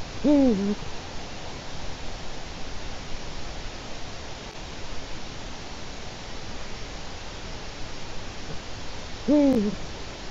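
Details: Eurasian eagle-owl (Bubo bubo) on a nest webcam in Latvia, 4 March 2018 around 16:06, gives two deep, short, slightly falling hoots about nine seconds apart over a steady background hiss.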